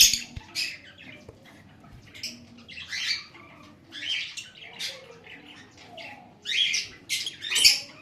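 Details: Lovebird giving harsh, shrill squawking chirps in short bursts, several notes in quick clusters separated by brief pauses, with a louder run of screechy calls toward the end; a quiet background otherwise.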